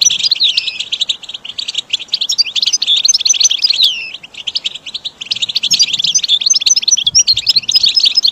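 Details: Goldfinch singing in a training recording for caged birds: a long, loud, continuous twittering of rapid, jangling chirps, buzzy trills and bright whistles, with only one short lull midway.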